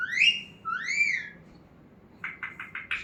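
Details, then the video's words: Talking parrot kept as a pet indoors: two clear arching whistles, a pause, then four short bright notes in quick succession, the room otherwise quiet. "Talking parrot"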